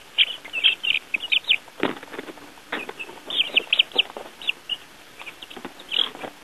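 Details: Baby chicks out of doors for their first time with earthworms, giving clusters of high chirping peeps in quick runs, with scattered soft knocks and rustling between the bursts.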